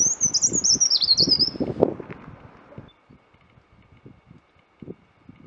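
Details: Loud high warbled song phrase of a scaly-breasted cupwing, a tiny undergrowth bird of damp shady forests, followed by low rustling and thumping noises.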